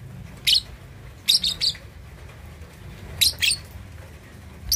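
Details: Young lovebird, two and a half months old, practising its ngekek chatter: short bursts of sharp, high chirps in clusters of two or three, separated by pauses, over a quiet low background hum.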